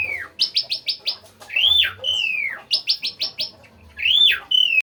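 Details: Asian pied starling singing actively: quick series of four to five sharp high notes alternating with long, loud, arched whistles that slide downward, over a soft low hum.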